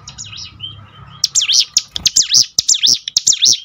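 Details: Hill prinia song used to encourage birds to sing: a soft opening with low background hum, then loud, rapid, zigzagging high whistles repeated in a tight, lively sequence.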